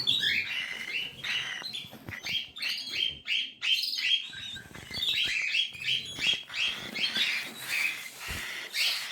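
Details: Cockatiel chicks giving a steady stream of rapid, raspy, wheezing calls, nearly three per second, rising and falling in loudness, heard indoors.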